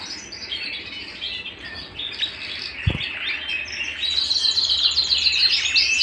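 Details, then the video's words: Canary singing at home: soft twittering that builds into loud, fast chirped trills, with one dull knock partway through. "canary bird - canary singing - canary sounds - canary singing at home"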